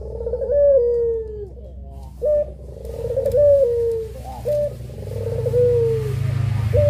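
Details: Puter pelung doves, two birds, in a training master: long descending coos alternate with short clipped higher notes, a soft rippling vibrato running through each coo, and low rumbling noise rising toward the end.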